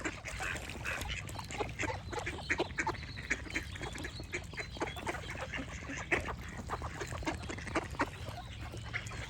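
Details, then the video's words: Continuous babble of many quacking ducks, short nasal calls repeated irregularly, with a louder quack standing out partway through and low background noise. "Relaxing Duck Quack Sound Effects"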